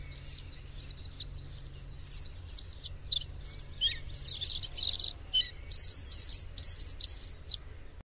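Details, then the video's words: Varied bluethroat song, with high, looping whistled phrases repeated in a series, then denser, buzzy, scratchy bursts and brief rising notes, all clear over near silence. "gorge bleue"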